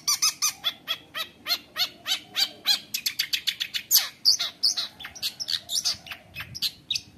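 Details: Vigorous, nonstop long-tailed shrike (cendet) song full of varied phrases, played to teach young shrikes: a fast, steady train of sharp, clicking chirps, then a quicker jumble of squeaky whistles and scratchy notes.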